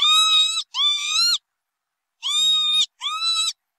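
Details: Northern lapwing calling in two paired bursts, each a pair of nasal, buzzy, harmonic-rich notes of about half a second, the second note of each pair slightly rising, with a short silent gap between pairs.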